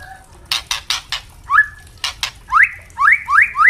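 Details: White-rumped shama, captive, singing to tutor young birds: a run of sharp dry clicks followed by loud rising whistled notes repeated about every half second, each sweeping upward.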